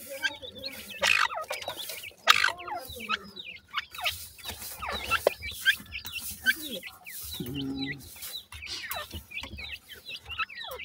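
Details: Feeding grey francolin chicks make a steady stream of brief, thin chirps, many sliding downward. The chirps are interspersed with clicks, and a short low hum is heard partway through.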